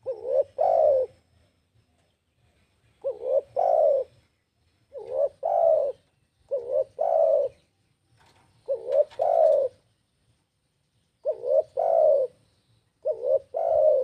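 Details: Spotted dove (tekukur) song: about seven low, soft cooing phrases, each a quick pair of short notes then a longer, drawn-out coo, repeated every two seconds or so, with faint low rumbling in the background.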